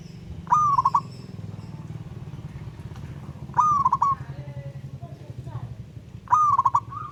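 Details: Zebra dove of local wild stock calling a rival: three evenly spaced coos roughly every three seconds, each a level note ending in a fast trill of beats, over constant low engine-like drone.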